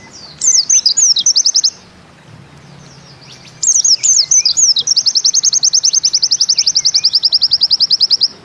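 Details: White-eye (pleci) singing in the Bustomi style with a 'nembak ziperrr' zipper-like burst: high twittering slurred notes, a pause, then a long fast trill of evenly repeated sharp chips that carries to the end.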